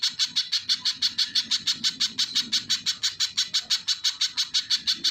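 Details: Rapid, steady series of piercing high notes from a little spiderhunter, roughly three per second and evenly spaced, with a faint low murmur underneath.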